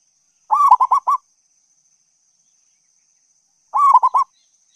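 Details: Local zebra dove song used as a lure to draw in other doves: two bubbling, rolling coo phrases of four or five quick notes each, about three seconds apart, clean and otherwise silent.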